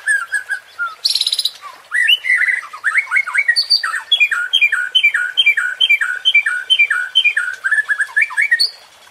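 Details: Murai batu (white-rumped shama) provocation song used to excite contest birds: a low whistle, a brief harsh burst, then a long fast run of short chirping, up-and-down notes repeated more than twice a second.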